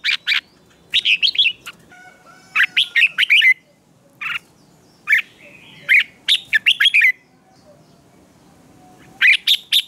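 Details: Morning song of a red-whiskered bulbul trained for singing competitions: short bursts of rapid warbled, downslurred whistles in groups, spaced by pauses of one to two seconds, plus a faint sustained tone.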